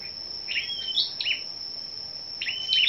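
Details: On a 10 May morning, competitive scarlet-backed flowerpeckers sound a few high, sliding chirps, a flick then a short level tone, repeated twice, over a persistent thin whine.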